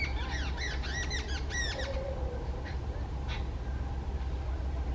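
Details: An agitated jungle babbler calls loudly, a fast run of harsh, nasal, stuttering notes lasting about two seconds, followed by a soft low whistle and a few faint distant notes against a low rumble.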